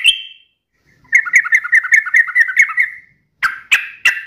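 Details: Singing sooty-headed bulbul, sharp rattling 'ropel' style. A single opening note leads into a two-second string of quick, even chirps, followed by three loud separate sharp notes.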